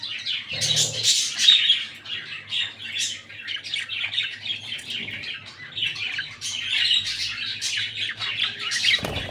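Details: Breeding pair of lutino albino red-eyed budgerigars, caged indoors: continuous busy chattering of scratchy squawks and short high chirps, rising and falling in bursts, with a few louder squawks and a brief knock or flutter.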